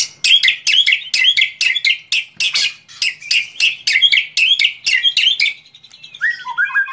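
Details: White-rumped shama singing in preparation for a song contest: loud, rapid chattering phrases of buzzy, scratchy notes repeated about twice a second, ending in a brief, higher whistled trill.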